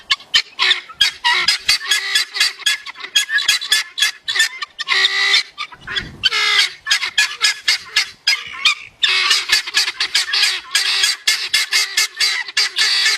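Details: Guineafowl giving harsh, rapid, rasping calls in dense overlapping bursts, a steady grating chatter that breaks briefly near the middle before resuming just as loud and busy.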